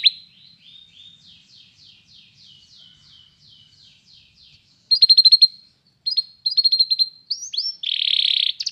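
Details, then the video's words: Canary singing for training purposes: a soft, distant-sounding series of quick falling notes, followed by louder clipped bursts of short repeated notes, a brief rising phrase, and a final harsh, buzzy trill. "cantar canário faz seu canário cantar"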